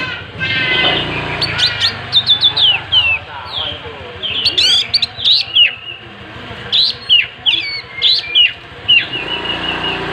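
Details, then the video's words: Kacer, the Oriental magpie-robin, singing energetically with its tail spread: a long varied run of sharp high whistles, trills and downslurred notes, repeated in bursts about every half second. "Burung Kacer gacor buka ekor"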